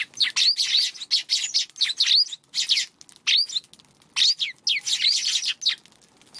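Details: Eurasian tree sparrows at a feeding spot on a March afternoon, cautious around a Godzilla figure set out nearby; dense run of sharp, bright chirps, several birds calling over one another almost without pause.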